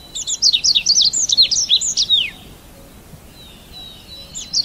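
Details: Red avadavat twittering in a quick run of sharp, high, downslurred chirps lasting about two seconds, then a thin drawn-out whistle and the start of another phrase.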